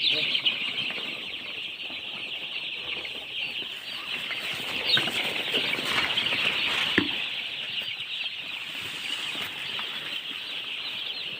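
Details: A brood of baby chicks keeps up a continuous high, shrill cheeping chorus, many overlapping peeps with no pauses, along with scattered faint taps and rustles.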